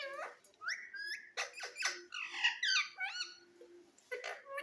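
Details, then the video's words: Pet green parrot giving a steady run of screechy, rising and falling harmonic calls, several a second, with a faint constant hum beneath. "Sweet parrot video"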